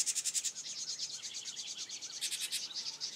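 House wren nestlings give a continuous, rapid chatter of very high, thin, raspy chips that pulse several times a second, with a few softer lower notes beneath.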